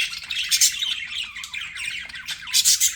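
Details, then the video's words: Pet budgerigars giving a dense, continuous chatter of high buzzy chirps and warbles, rising in loudness near the middle and again toward the end with sharper squawky notes. "BUDGIE SOUNDS"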